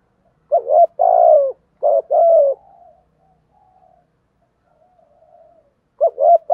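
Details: Decoy spotted dove in its provoking coo: a phrase of short and long low hoots, the long notes gently falling, then a soft trailing murmur and a fresh phrase starting.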